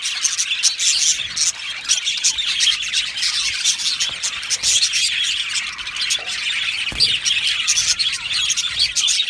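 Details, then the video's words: Budgerigar colony in an aviary, singing and chirping: steady high chatter of many birds, with buzzy warbles, squeaky notes and occasional sharper squawks layered throughout, never stopping. "Beautiful Australian Budgie birds aviary sound | Budgie singing and chirping sounds"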